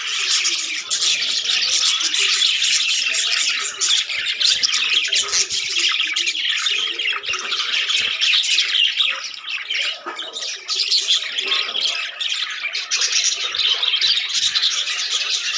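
A flock of budgerigars chattering continuously with high, scratchy squawks and chirps.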